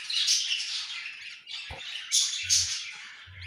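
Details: Loud budgerigar chatter linked to egg hatching: a steady wall of scratchy squawks and high twitters with louder bursts near the middle and end, one sharp knock.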